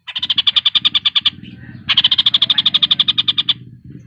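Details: Javan cochoa, recorded as a master for competition birds, gives two bursts of quick, high, evenly spaced notes separated by a short break, over steady low background hum.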